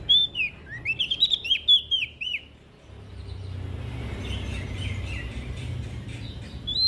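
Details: Energetic olive-backed tailorbird song from West Nusa Tenggara, Indonesia, used to stimulate lazy birds to sing: rapid sharp chirps for two seconds, then softer distant notes over steady hiss.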